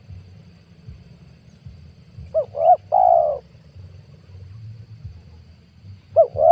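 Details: A 2022 spotted dove lure call for trapping wild doves: after quiet, a double clipped coo leads into a long, even coo; near the end the double coo begins again, with faint low hum throughout.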